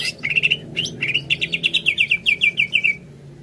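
Greater green leafbird song: a few sharp opening notes, then a quick run of about fifteen bright, ringing chirps, roughly seven per second, over a faint low hum.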